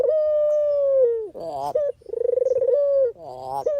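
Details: Barbary dove heard in a genuine lure recording for trapping: one long smooth low tone falling at its end, a hoarse stepped note, then a second pulsed, purring coo followed by another rough rising call.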